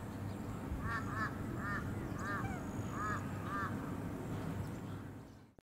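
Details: An Australasian swamphen (Porphyrio melanotus) on the Sunshine Coast, Queensland, in May 2021 gives about six short, nasal, arched calls, some in quick pairs, over a steady low rumble like distant traffic.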